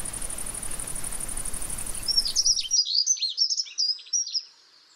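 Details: Pied wagtail, subspecies yarrellii, in the gardens of the riverside promenade of the Tállara River at Noia: after steady hiss, a series of sharp, high chirping call notes repeated about three per second for two seconds.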